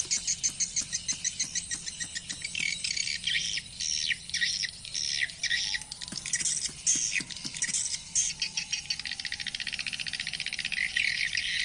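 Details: Swiftlet lure call played through speakers to attract swiftlets and watch their response: dense rapid ticking and buzzy chattering, many overlapping high clicks, with a faint low hum beneath.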